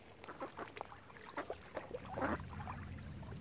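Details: Ducks crowding around a swan family on Lough Neagh at Oxford Island, Ireland, giving short harsh quacking bursts, several in quick succession, the loudest and longest near the end, over faint low lakeside rumble.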